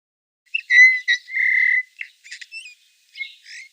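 A Eurasian bullfinch sings soft, mellow piping whistles, one held steady for a moment, mixed with quiet creaky and warbling notes.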